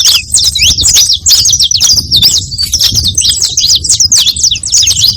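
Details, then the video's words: Saffron finch song for attracting other birds: busy high-pitched chips and downslurred notes pour out in fast clusters, with brief gaps, over soft low-frequency background noise. "Som de CANÁRIO da TERRA para atrai canarios!"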